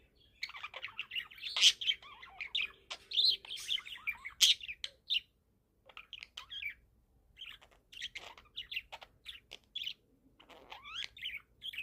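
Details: A 4-month-old budgerigar at sunset chirps in rapid, scratchy warbles broken by short pauses.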